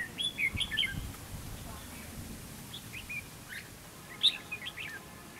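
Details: Red-whiskered bulbul used as a decoy in a fighting trap, singing to provoke rival bulbuls; short bright chirping phrases of warbled, up-and-down notes open the recording, a pause with faint notes, then another lively burst near the end.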